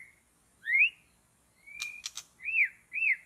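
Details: Long-tailed white-rumped shama in a forest rich in the species, recorded while birds were being trapped: pure whistled notes that arch up and down, one long steady whistle, and a few sharp clicks.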